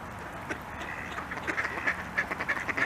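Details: Mallards on ice in winter chatter in a quick run of short, nasal quacks, several per second, growing busier toward the end as they prepare to fly off, over a steady background hiss.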